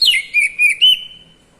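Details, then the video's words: White-rumped shama kacer ngeplong call: a descending whistle leading into four clear repeated notes, the last a little higher, then a long fading tone. "Cier..cier..suara burung kacer ngeplong efektif membantu kacer bahan jadi bunyi!"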